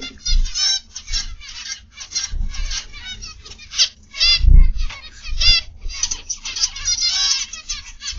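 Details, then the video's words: Aviary zebra finches on a morning recording give repeated short, nasal, trumpet-like calls, many birds overlapping in pulses about every second, with occasional low thuds in the background. "Zebra Finch Aviary Live"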